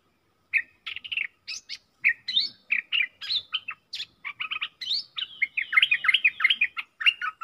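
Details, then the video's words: Caged decoy bulbuls, four birds kept for luring, in a lively run of short chirped and whistled notes that tumble up and down. The phrases speed into a dense chattering string near the end. "เสียงต่อนกดอกแตงEp.68 เสียงต่อจากป่าจริงๆ นกต่อ4ตัว!!! Suara merbah lekir gacor"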